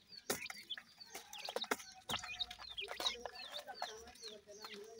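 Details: Deccan francolin pair with chicks, likely kept in captivity for breeding; high thin chirps and short clucking notes overlap through the recording, with loud clicks and knocks between them.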